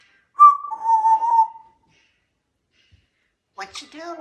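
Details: Male African grey parrot kept as a pet indoors holds a steady, slightly wavering whistled tone for about a second; after a pause a person's voice speaks.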